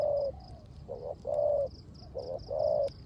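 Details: Decoy spotted dove cooing in the rain in the 'rước gù' style: low, hollow coo notes in short phrases, some slightly rising and held, repeating about every second, with a faint high steady ticking in the background.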